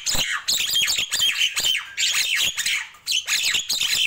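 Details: Nias hill myna singing in the morning: harsh, squawking bursts blended with bright whistled notes, in phrases separated by short silences.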